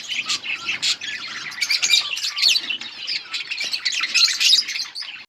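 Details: Feeding budgerigar colony: many birds chattering together in rapid high chirps, squeaky whistles and rasping notes, a steady busy chorus without pause.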